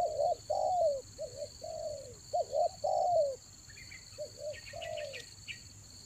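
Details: Spotted dove cooing as a raja angguk lure for attracting doves in the rainy season, Toba: phrases of short paired coos and drawn-out falling coos, faint chirps from other birds and a constant high hum behind.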